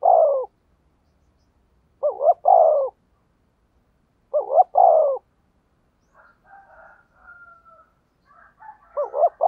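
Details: Spotted dove luring wild doves with thúc gù coos: four repeated phrases of dipping double notes and low, falling coos, with a stretch of softer, scratchy, wavering calls between the third and fourth.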